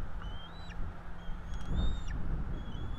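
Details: Bald eagle chicks, the two eaglets NE26 and NE27, at a nest in Florida during a feeding on 5 April 2022: a few thin whistled peeps, level and then dropping at the end, over a steady low rumble.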